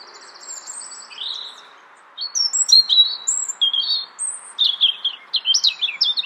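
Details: Brussels, Belgium, March 2014: a nominate European robin opens with a soft, fast, high trill, pauses, then pours out a quick sequence of bright, thin whistles and twittering notes at varied pitches.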